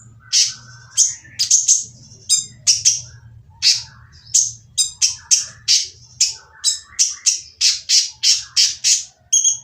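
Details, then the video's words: A purple-throated sunbird delivers a rough, noisy song to draw other quiet sunbirds into singing. Continuous series of sharp, high, scratchy chirps, roughly two per second, over a faint low hum. "konin yang diam malas bunyi akan nyaut jadi gacor setelah mendengar suara konin berisik ini !!"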